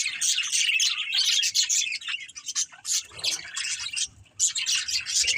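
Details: Budgerigars chirping: dense, grating chatter with bright squeaks, easing briefly near three and four seconds before the chorus picks up again.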